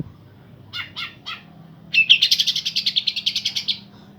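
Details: Green leafbird pair singing, meant to excite birds that have gone off song: three spaced chirps, then a sustained rapid trill of repeated bright notes lasting nearly two seconds.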